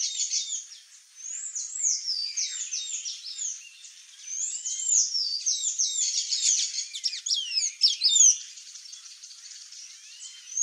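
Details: A long, rambling song from a Sayaca tanager: high, wiry, down-sliding squeaks strung together rapidly, rising into a dense jumble in the middle and trailing off into softer twitters.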